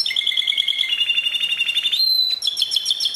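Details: Canary giving pure song, 2016: a steady rattling trill held for two seconds, a pure whistled note, then another fast rolling trill.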